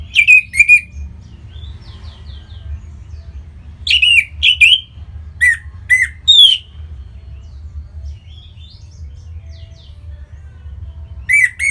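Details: Caged Orange-headed thrush in Bali singing to spur other birds into song: scattered bursts of loud, sharp, high chirps and slurred whistles separated by pauses, with softer faint warbles between and low hum throughout.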